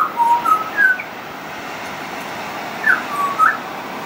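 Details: Pied butcherbird song: a quick run of three or four clear whistled notes, a pause of nearly two seconds, then another short group of sliding whistles.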